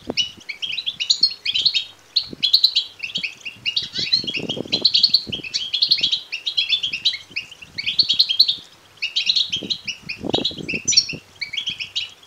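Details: Chorus of begging European goldfinch chicks, meant to excite males into song and mating: continuous high, overlapping chirps and squeaks rising in waves every second or two, with occasional low knocks and fluttering.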